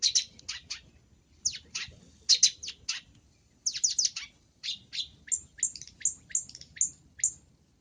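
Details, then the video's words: Long-tailed shrike, cendet masteran with full isian: a varied medley that begins with scratchy chattering bursts and shifts to a rhythmic series of sharp, downward-slurred whistled notes, about two per second. "MASTERAN BURUNG CENDET FULL ISIAN GACOR"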